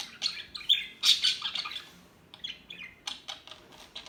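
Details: Several rapid bird chirps and a harsher chattering burst in the first two seconds, then fainter scattered tweets after a short pause.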